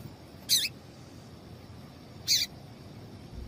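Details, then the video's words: Female double-collared seedeater call, meant to make males sing: two brief, bright high chirps about two seconds apart, each slightly buzzy, with low background noise. "Faça o teste com Esse Piado de Fêmea de Papa capim é Seu Papa capim Vai Ficar Cantando RÁPIDO!!!"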